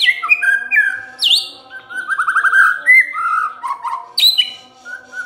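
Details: White-rumped shama lure song meant to draw replies from quiet shamas: varied clear whistles, swooping high notes, a rapid ripple of rising trills and mellow phrases in a continuous flowing stream.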